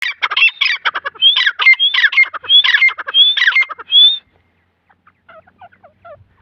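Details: Grey francolin, locally called dakni teetar, featured with its chicks: harsh squawking notes mixed with bright upslurred whistles, repeated rapidly for about four seconds, then near silence with a few faint distant chirps.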